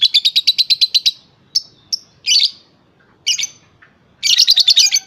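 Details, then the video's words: Young lovebird, about three and a half months old, described as a 'stereo' singer: a rapid run of sharp high chirps for a second, then scattered single chirps and short bursts, ending in another fast chattering run. "Love bird paud stereo"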